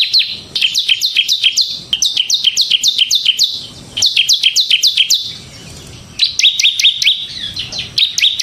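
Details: Bar-winged prinia, the ciblek semi type, in energetic gacor ngebren song used as a lure for other birds: rapid runs of high, sharply descending chirps, about four a second, broken by short pauses.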